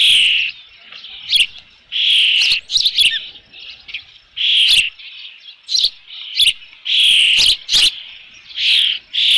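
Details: Osprey at a nest with fish, ranch nest camera, 3 June 2018 in the late afternoon; repeated loud high whistled calls in steady series, interspersed with quick sharp chirps.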